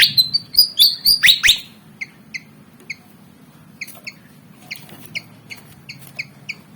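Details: Javan fantail, black and white, roughly 19 cm, eager to fight, opens with a loud harsh rattling burst, then gives sparse, evenly spaced bright chips.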